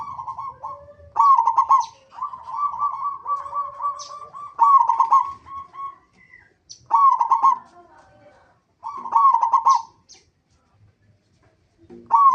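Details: Local zebra dove lure call to make other zebra doves sing: a series of bubbling trilled coo phrases every couple of seconds, some drawn out, with softer lower notes behind.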